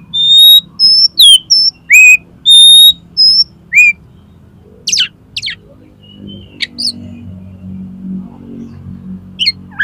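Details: Oriental magpie-robin singing as a lure to make contest birds open their beaks: a run of loud, clear, level and dropping whistles, followed by softer scattered chips and buzzy notes against a low background hum.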